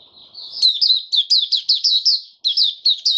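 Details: A caged white-eye begins singing: a soft high trill gives way to a regular series of sharp, downslurred chirps roughly every quarter second, with one short gap.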